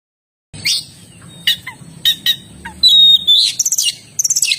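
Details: Oriental magpie-robin singing, a varied run of sharp chirps, short downslurred notes, a sustained high whistle and a rapid trill of ticking notes near the end, with a faint steady high hiss throughout.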